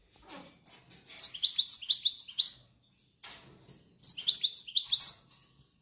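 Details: Silvestrismo-linked European goldfinch singing two twittering phrases, each about one and a half seconds of rapid, high, liquid notes that slide downward. A brief quiet pause separates them, with soft ticking calls just before each phrase.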